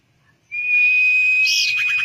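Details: Common iora song played as bait to prompt singing: a single sustained, level whistle lasting over a second, with a rough, buzzy flourish near its end.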